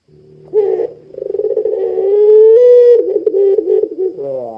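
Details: Barbary dove of the puter pelung type in full voice, a recording meant to prompt other doves to coo: a quick pulsed stutter leads into a sustained mellow coo that lifts slightly before breaking into rippling notes and a low hoarse ending.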